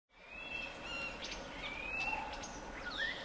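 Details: A flock of White-crested laughingthrushes calling together: thin drawn-out whistles and rising slurred notes overlap with quick chattering, forming a busy, continuous chorus over steady background hiss.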